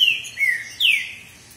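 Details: Green-winged saltator (Saltator similis) male during a singing contest between two males, giving three loud, clear whistled notes, each sliding downward in pitch, with short gaps between them.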